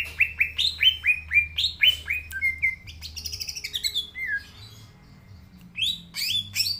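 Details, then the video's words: Green leafbird in full song (gacor), a recording meant to prompt young, not-yet-singing birds: a fast series of sharp downslurred whistles, then mixed twittering phrases and high upslurred notes. "Cucak Ijo Gacor Suara Asli Cocok Buat Pancingan Cucak Ijo Yang Belom Mopeng & Trotol"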